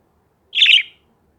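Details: Bird making angry noises: a single short, harsh, chattering squawk lasting about half a second, dense and high-pitched, with silence around it.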